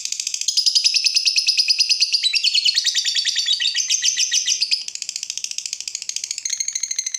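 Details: Lovebird in long energetic song, used as a master recording for training other lovebirds: a continuous rapid chatter of fast pulsed, buzzy high notes, shifting pitch slightly throughout, with no pauses.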